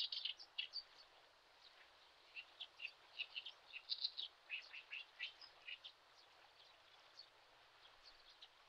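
Spoon-billed sandpiper giving thin, high chirping calls in quick, irregular bursts, some overlapping, over a faint steady hiss.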